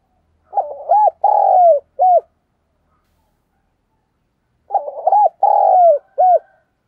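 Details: Spotted dove giving the 'thúc gù' and 'gáy gọi' cooing styles, used to lure wild doves: two low, mellow phrases of several rounded coos each, about four seconds apart, against a silent background.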